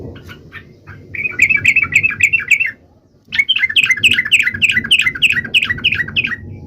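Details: Chattering trucuk bird song, used to make other trucuk birds sing: a steady stream of bubbly, mid-pitched notes, a brief break, then a livelier warbling run over low background noise.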